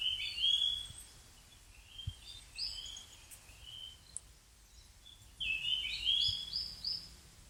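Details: Rustic bunting giving two bursts of bright, warbling, slurred notes, the first near the start and the second after a pause of about four seconds, with scattered soft notes between them and a faint low rumble of background noise.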